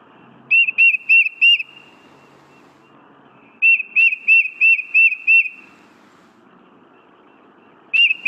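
Tufted Titmouse song: clear, high whistled notes repeated quickly, four, then six, then another phrase beginning, over a faint low hum.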